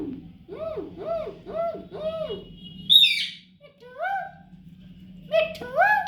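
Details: Baby parrot repeating four arched, nasal calls in steady succession, then a sharp squeak and a few softer rising notes, over a faint low hum.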